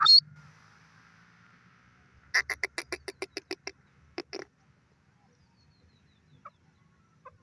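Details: Grey francolin, known locally as teetar, calling: after a brief sharp note, a rapid burst of about a dozen harsh, evenly spaced notes runs for over a second, followed by a short pair and then near silence.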